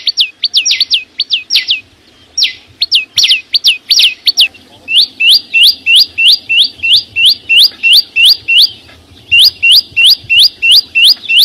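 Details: Green flowerpecker singing out in nature: a few high falling and looping notes at first, then a steady run of bright, upward-sweeping whistled notes, about three per second, with brief breaks.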